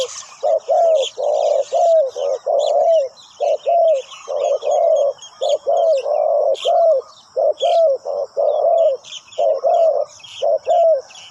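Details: Spotted dove kept as a decoy to call in wild birds, cooing steadily in low, slightly descending paired notes roughly once a second for the whole stretch, with scattered high bird chirps behind.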